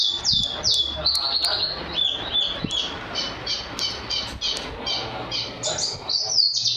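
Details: Champion white-eye with a powerful voice singing canary-filled song: bright descending whistles and high chips, somewhat broken up, over a rough, noisy background.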